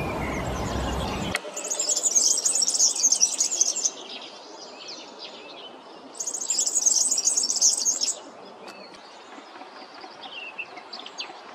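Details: Song of a European serin in two separate bursts, each a shrill, glittering, very high jingle of fast, scratchy notes lasting two to three seconds. The bursts are split by a quieter pause with faint chirps. A brief loud noise opens the recording.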